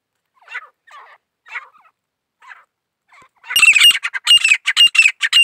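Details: Several soft, scratchy notes lead in, then a grey francolin breaks into a loud, harsh, squawking series of rapid notes for the last two seconds.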